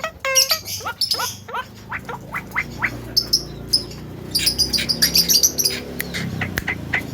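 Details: Javan myna, a talking bird, used as a lure to anger other mynas. It gives clicks and harsh squawks, then a dense burst of high, sharp, scratchy notes.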